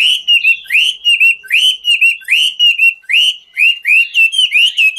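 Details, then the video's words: Chinese hwamei singing in the ngũ trường style while dancing: loud rising-and-falling whistled phrases, each slurred upward then trailing into a wavering note, repeated about every 0.8 seconds with crisp clicky overtones. "Họa mi ngũ trường hót múa cực chất"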